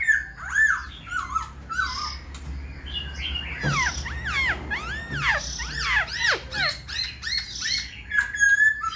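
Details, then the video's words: Caged black-throated laughingthrush, tail fanned and about to wing-display as a person comes close, sings a loud, rich run of varied whistles, slurred up and down and tumbling quickly, with more varied phrases than before and a steady low hum behind. "Khướu bạc má VIP đuôi xòe, múa cánh giọng cực hay"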